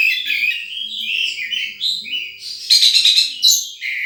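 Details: Continuous high warbling chatter from a wild sunbird, with sliding chirps and a brief rapid trill near the end.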